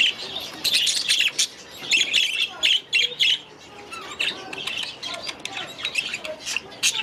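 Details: Young budgerigars from last year released into a new aviary: rapid bursts of high chirping chatter, about three to four per second at first, then looser warbling notes and squeaks.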